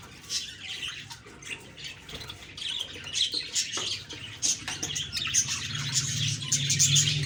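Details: Morning chirping of budgerigars, October 2, 2023: quick high tweets and twitters in irregular bursts over a faint low hum that grows toward the end.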